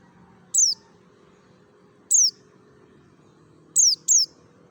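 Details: Wild-sounding mountain white-eye from Merapi, played as a lure for kept white-eyes: four bright, high chips sliding steeply downward, two spaced well apart, then a quick pair, over quiet low hum.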